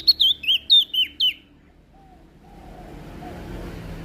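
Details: Prinia from Lombok in active song, said to excite other birds. Six quick, loud, high notes, each a short twisting whistle, fall silent after a second and a half, leaving a low rumbling background.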